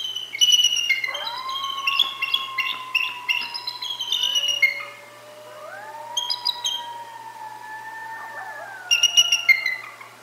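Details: Bald eagles at the Decorah north nest give thin, high, chittering chortles in bursts, while coyotes howl below in long, smooth, sliding wails. Bald eagle (Haliaeetus leucocephalus), chortle.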